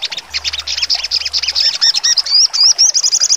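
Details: Brief full song from a sogon, 'nembak tajam' style: dense high twittering that turns into rising and falling whistled loops and ends in a quick trill.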